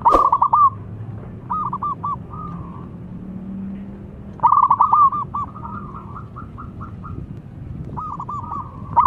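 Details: Zebra dove, a local bird, calling loudly: three strong rolling bursts of rapid coo notes spaced about four seconds apart, each trailed by softer stuttering coos.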